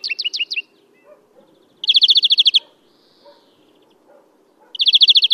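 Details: Spring song of a European greenfinch, Kholm, Novgorod oblast, Russia, April: a short twittering run of paired notes, then a rapid even trill of about ten notes, another trill starting near the end.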